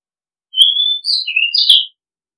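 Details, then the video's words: Oriental magpie-robin decoy song: a smooth rising whistle, a higher short note, a lower warbled slide, and a final bright chirping flourish, all in one continuous phrase lasting under a second and a half. "Oriental Magpie Robin Sound Long play เสียงร้อง นกกางเขนบ้าน"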